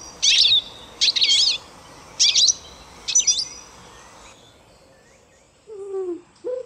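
A goldfinch gives four quick bursts of bright, high, jumbled twittering about a second apart. A lower, falling tonal sound follows at the end.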